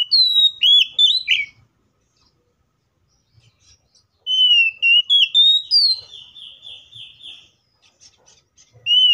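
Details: Fighting song of an Oriental magpie-robin, used to get other magpie-robins singing: a quick flurry of whistles, a pause, then steady whistled notes leading into a fast series of repeated buzzy trill notes.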